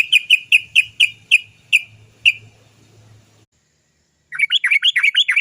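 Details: Sooty-headed bulbul lure sound, 'cok cok cok' notes meant to make birds start singing: a run of evenly spaced sharp chirps slowing down, a pause, then a quick chattering burst of rising and falling notes.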